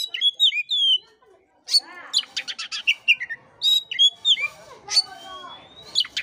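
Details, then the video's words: Lure song of an Oriental magpie-robin, played to get a listless bird singing: sweet slurred whistles, a pause, then a fast series of sharp ticking notes and downslurred whistles ending in a long rising whistle. "pancingan kacer jitu dan ampuh buat kacer loyo kurang ber gairah"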